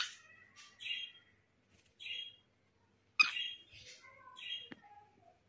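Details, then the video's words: Pet cockatiel singing alongside a green parrot, a run of short warbled chirps and whistles around mid-high pitch, separated by brief pauses, with one louder sharp note near the middle. "Adorable Cockatiel Singing with Green Parrot"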